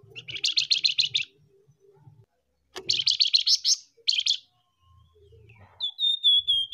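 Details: Lure recording of male and female flamboyan birds: bursts of fast, harsh, high chattering notes in three runs, ending with a slurred series of whistled notes that slide slightly downward, soft low hum in gaps.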